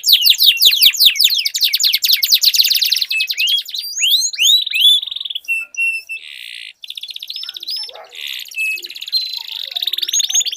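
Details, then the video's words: Duelling canaries: a fast run of slurred descending notes leads into dense buzzy trills, rising sweeps and held tones, then long rattling rolls, all high-pitched and unbroken. "Duel Burung Kenari Suara Merdu Ngerol Panjang || Pancingan Ampuh Kenari Macet Langsung Gacor Ngerol"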